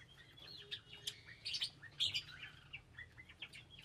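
Lovebirds chatter in shrill, high chirps and squeaky notes, several birds overlapping about twice a second, over a faint low hum.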